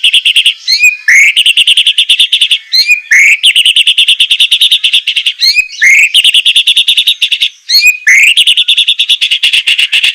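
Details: Captive white-rumped shama in a training recording, semelet style with harsh bursts: long bouts of rapid, pulsing high trills broken every couple of seconds by sharp upward-sweeping whistles. The song is loud and continuous.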